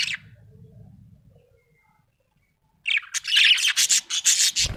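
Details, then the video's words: Budgerigar, said to be happy, bursts into rapid raspy chattering after a quiet pause, the scratchy chirps coming in quick rhythmic pulses about twice a second. "Happy budgie chirping sound"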